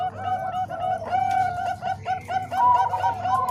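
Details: Zebra doves of Bangkok and Cemani Kolbuntet types, their voices combined as a tutor recording for training other doves: overlapping mellow cooing notes, steady and repeated, with a low background hum.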